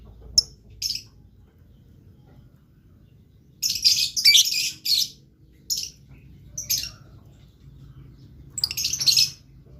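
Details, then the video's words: Blue lovebird in energetic song: scattered shrill chirps, then a cluster of rapid scratchy, high twittering notes, and more bursts near the end over a low background hum. "LOVE BIRD GACOR"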